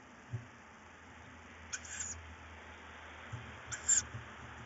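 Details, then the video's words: At night on 4 May 2018, tawny owl chicks squabble over prey while one chick has a bird; two short, rasping hiss bursts about two seconds apart against a steady low hum. "Bosuil: kuuks vechten om prooi en K1 met vogel"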